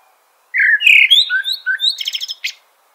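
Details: One full Eurasian blackbird phrase: a loud, liquid whistled warble that rises and falls, followed by a quick burst of thin, high chattering notes and a final squeak.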